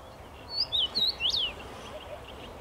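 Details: Perched in a tree on 23 May 2021, a common rosefinch whistles one phrase of three short pure notes and a final up-down slur, followed by quiet background.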